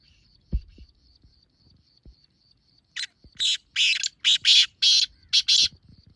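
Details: Calling black francolin, the sound used to draw francolins in: a steady thin high whine, then a rapid harsh series of about seven scratchy, buzzy notes, rising in loudness.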